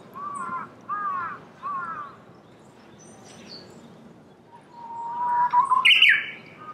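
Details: A Japanese bush warbler among cherry blossoms in Saitama, Japan, in March 2019, sings a long, low, swelling whistle that breaks into a sharp, higher flourish; three earlier harsh, arched calls come from another bird.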